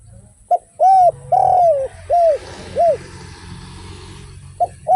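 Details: Spotted dove (derkuku) in active 'without kuk' and 'kuk 1' song: a short note, then four arched hollow coos, the second longest, and then a hissing rustle, with a low hum throughout and a new phrase starting at the end.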